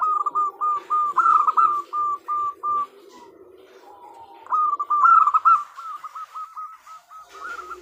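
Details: Female local zebra dove calling its mate, used to coax males into answering. A run of crisp repeated coos fades, then a loud fluttering trill leads into a fresh series of rapid clipped notes.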